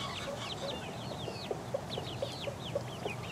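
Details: Young chickens, four weeks old, pecking around. High, sliding peeps come from several birds at once over a soft steady hiss. Faint low taps mark pecks about every quarter second.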